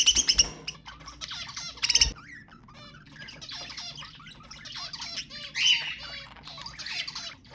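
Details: Budgerigar sounds used to stimulate mating: two loud harsh squawks open, then a wavering warble of rising and falling whistled notes mixed with scratchy chatter.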